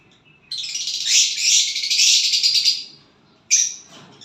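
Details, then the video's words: Violet bird, said to sing when paired with a partner, gives one long, rasping, buzzy high phrase lasting over two seconds, then a pause and a short second burst. "violet bird singing and chirping sounds when you get a partner"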